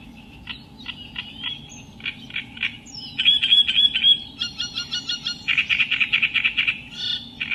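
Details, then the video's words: Reed warbler song that starts with sparse scratchy notes, then speeds up into grating chatter. A brief whistled trill and a rapid, rattling run of harsh repeated notes follow. "Burung Kerak basi"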